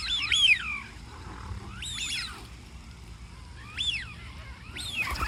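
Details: Duck calls: clusters of quick, nasal, rising-and-falling honks, with four bursts spread across the recording and quieter pauses of low rumble between them.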